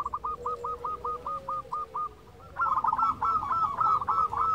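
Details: Local zebra dove song used to draw other doves into singing: a quick series of short, even coos, a brief pause, then a louder, faster burst over low background rumble.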